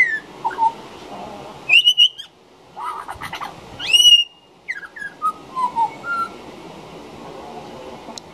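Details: Juvenile pied butcherbird singing right outside a back door: clear fluty whistled notes and short rising and falling phrases, some with bright overtones, broken by pauses, over a faint low background hum.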